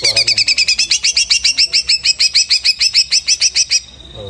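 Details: Greater green leafbird singing after its moult: a fast, even run of about twenty sharp, high, slurred notes, roughly five per second, that stops abruptly, leaving faint background noise.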